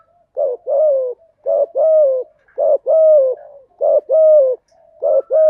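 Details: Spotted dove song for training newly caught doves: five regular paired coos, each a short low note followed by a longer slightly falling coo, about one pair per second.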